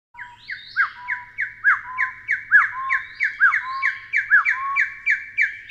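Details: Taiwan Hill Partridge (Arborophila crudigularis), a bird endemic to Taiwan and found in dense forest and undergrowth of low to mid-elevation mountains, gives loud repeated rising whistled notes, about one per second, with overlapping notes from more than one caller.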